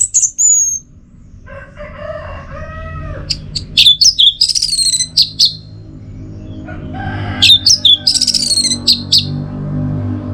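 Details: Orange-headed thrush tutor and trigger song from northern Bali, Singaraja, used to coax the rolling teler song. Sharp high whistled notes and quick chip bursts in two clusters, with lower buzzy phrases between them over a low background hum.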